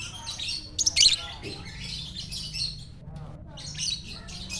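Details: Champion lovebird singing in the morning in Jatihandap, Bandung: loud, piercing squeaky chatter in a rapid burst, then continued high scratchy twittering phrases over faint low hum.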